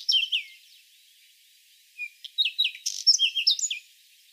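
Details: Whinchat singing: short scratchy phrases of chirps, whistled downslurs and dry buzzy notes, an opening burst then a pause of over a second before a longer jumbled phrase near the end.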